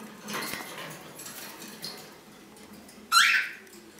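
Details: Green-naped lorikeet: after soft rustling and light knocks, a single sharp, harsh screech bursts out and trails off over about half a second.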